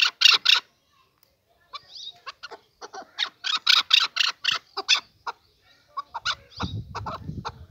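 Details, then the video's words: Male chukar partridge calling: loud, harsh, broadband chuk notes, opening with three strong bursts, then a rapid irregular run of clucking notes, with a low rumbling noise near the end. "Kınalı erkek keklik sesi"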